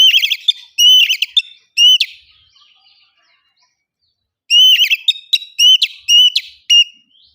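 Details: Oriental magpie-robin lure song meant to prompt kacer birds to sing openly: bursts of loud, clipped, ringing whistles and rapid chattering notes, a silent gap of about two seconds, then another lively volley.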